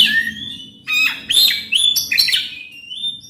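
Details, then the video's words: Oriental magpie-robin singing loudly with coarse mimicry fill, played as a lure to make a quiet magpie-robin start singing. Bright varied whistles, some rising and some falling, in short clipped phrases with a few sharp harsh notes. "Kacer gacor bongkar isian kasar PANCINGAN KACER AGAR NGEPLONG"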